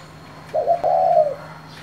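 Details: One cooing phrase from a spotted dove with the 'giọng thổ' voice, calling to provoke other doves: a short stuttered start running into a sustained, smooth, slightly falling coo.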